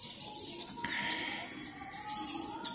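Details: Sun conures on a morning free flight give two loud, harsh, high screeches about 1.5 seconds apart over a steady faint hum and soft background noise.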